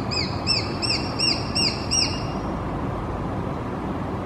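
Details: A juvenile Japanese sparrowhawk (Accipiter gularis) gives six high, thin arched squeals, about one every 0.4 seconds, then falls silent over a steady background hiss.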